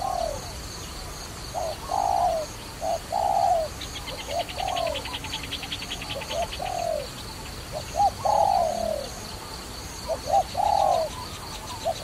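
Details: Dove coos during trapping: bursts of a short note plus a long falling note, repeated through the clip, with a brief buzzy insect-like trill midway and faint high bird chirps.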